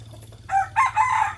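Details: A morning rooster crow, a brief harsh rising segment followed by a longer, strained, wavering phrase, over a faint low hum.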